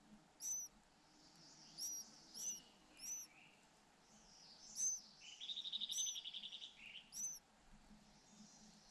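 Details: Two white-eye nestlings beg while both parents relay food to them. Isolated high, sharp chirps are followed mid-clip by a rapid, buzzy trill of about a dozen pulses, then more single chirps.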